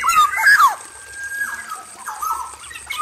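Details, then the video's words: Male black-naped oriole kept in an aviary cage, singing loud, full phrases: rich whistled notes slurring up and down, then a long level whistle and softer fluty notes near the end, with faint background hiss. "PANCINGAN SUARA KEPODANG EMAS JANTAN GACOR FULL ISIAN DI KANDANG AVIARY"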